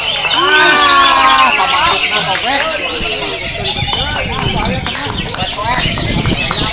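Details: Rich, fast song of a Greater green leafbird: long falling whistles leading into quick chattered notes and sharp clicks, repeated several times a second, mixed with loud background noise.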